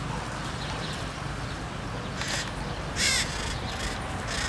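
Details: A red-shouldered macaw (Diopsittaca nobilis) in fields and cerrado near Araguari, Minas Gerais, Brazil, gives two or three harsh, grating screeches late in the clip over a steady hiss of wind or background noise.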